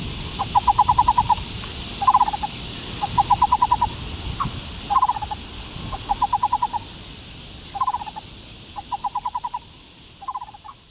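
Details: Taiwan barbet, or black-browed barbet, delivering a regular sequence of low, hollow, rapidly pulsed notes in about ten groups, short doublets alternating with longer trills, with faint background hiss.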